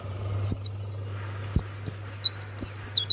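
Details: Warbling white-eye, a kept bird, delivers a loud, clear song: one short high sweep, then a rapid chain of bright, downward-slurred whistles over a low steady hum.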